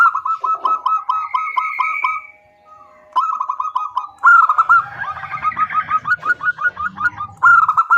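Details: A female zebra dove calls to the male with rapid strings of clipped, rolling coo notes, a pause, then loud repeated phrases over a soft low hum.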